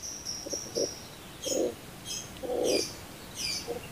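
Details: Barbary dove in a bird-training recording: low, throaty coos in short bursts, one longer rolling coo in the middle and a brief one at the end, with thin high chirps from other birds between them.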